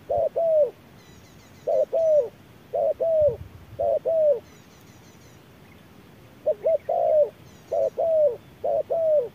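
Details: Spotted dove calling back at a machine decoy under hot midday sun in a fighting exchange. Two-part mellow coos, short then drawn-out and sliding down, in irregular groups. Faint high chirps from small birds are heard above.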